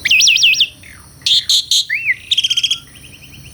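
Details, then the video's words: Asian pied starling singing melodiously: rapid looping wavy whistles, harsh rasps, a short arched whistle, a fast chattering rattle and thin repeated ticks in one real recording. "SUARA KICAUAN BURUNG JALAK - JALAK SUREN GACOR MERDU SEKALI..!!"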